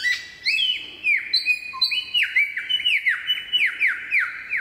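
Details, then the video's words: In Bartlett Olinda State Forest Reserve, a superb lyrebird sings loud, piercing whistles, each sliding steeply downward, strung together rapidly with brief high notes and a short lower tone partway through. "Superb Lyrebird Song"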